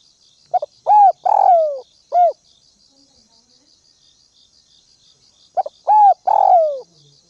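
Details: Spotted dove acting as a decoy bird: hoarse cooing phrases, each a brief stutter, a drawn-out falling coo and one short coo, heard twice about five seconds apart, against a background of rhythmic cricket-like pulses.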